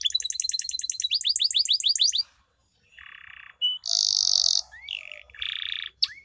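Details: A canary, likely male, sings a fast, high, long-duration rolling trill of rapid repeated notes, then varied steady whistled tones, buzzy bursts and quick upward slurs; used as a lure to prompt canaries that have stopped singing.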